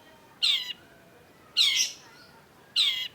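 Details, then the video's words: Long-tailed shrike singing: three harsh, buzzy bursts with a rising undertone, spaced about every 1.2 seconds, against a quiet background. "cendet gacor LANGSUNG GACOR !! PANCINGAN CENDET MACET || Long-tailed Shrike"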